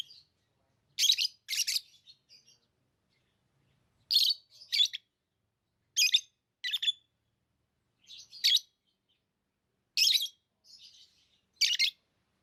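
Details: Tame lovebirds chirping in spaced pairs of harsh, squeaky notes every second or two, with softer thin twitters between the louder bursts.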